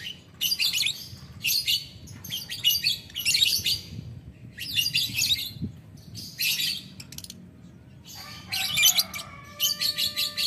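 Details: Lovebird answering a rival with long ngetik ngekek chatter, a series of harsh, noisy bursts about half a second each separated by short gaps, ending with a thin whistled tone, low hum underneath.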